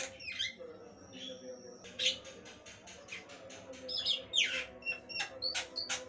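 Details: Long-duration song of a Javan myna in full voice: sharp whistles, rasping noisy bursts and quick clicking notes strung together in varied, irregular phrases, with a faint constant hum underneath.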